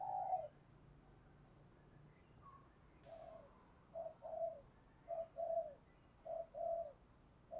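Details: Decoy spotted dove calling to provoke other doves, heard farther off over a steady background hiss: a string of short, soft coos repeated roughly every half second to second, sometimes paired.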